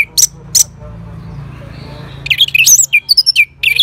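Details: Orange-headed thrush responding to a lure sound: two sharp high notes open, a pause, then a rapid run of squeaky, twisting whistles and chirps leaping between pitches.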